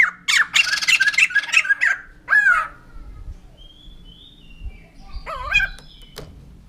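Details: White-crested laughingthrush giving loud, harsh, noisy chattering bursts for about two seconds, then a sliding whistled downslur, followed by quieter scattered notes and a brief rising-falling call near the end.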